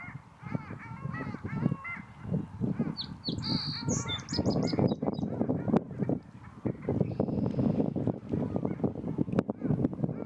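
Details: Long-tailed Ducks give nasal, yodeling calls that rise and fall in quick runs, over steady splashing, low rumbling and another bird's thin high whistle; wintering diving sea ducks at Tommy Thompson Park, Toronto, on a cold April spring day in 2026.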